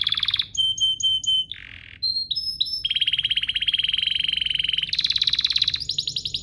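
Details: Domestic canary song played to push other canaries into singing. Short high pure tones and brief notes lead into a long, even, rapid trill that shifts upward near the end.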